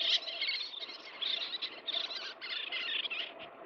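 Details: Little tern feeding chicks: a dense, nearly continuous stream of harsh, scratchy high calls that overlap one another, above a low steady rushing background.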